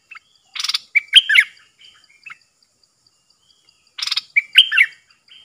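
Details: Caged decoy bulbul drawing in wild birds, recorded 13 April 2021; two matching phrases about three seconds apart, each opening with a harsh buzzy burst, then quick liquid whistled notes; a faint steady high tone runs underneath.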